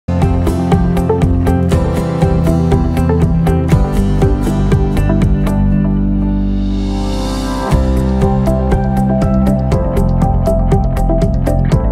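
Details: Steady electronic music with a pulsing beat and a rising swell; no animal sounds are heard.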